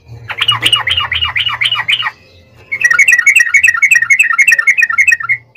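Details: Yellow-vented bulbul song, used as a lure for other bulbuls: a burst of coarse rattling notes, a short pause, then a fast, bubbling chatter of bright notes lasting nearly three seconds.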